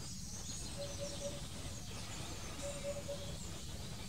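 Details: Eurasian hoopoe giving two soft, low, hollow triplets, oop-oop-oop, about two seconds apart, over steady low rumbling wind noise; Drunen, Netherlands, 4 June 2020.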